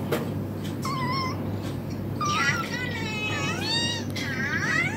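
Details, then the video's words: Pet green ringneck parrot talking along with a mobile phone, producing a string of wavering, whistled and squeaky modulated notes, some sliding up and down, over a steady low electrical hum. "Ringneck Green Parrot talking with mobile"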